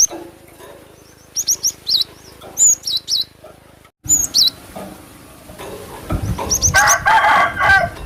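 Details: Lure call of a cinereous tit for attracting birds: fast groups of thin high notes and downward-swooping whistles, a brief silent cut, then more whistles before louder mixed chirping and noise.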